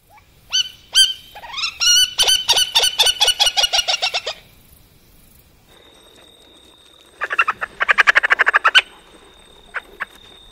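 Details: Three-banded courser, a largely nocturnal ground bird of dry open woodland and savanna in eastern and southern Africa, gives a fast run of sharp kik notes that rise, fall and fade, then a second chattering burst, with a thin steady whistle behind.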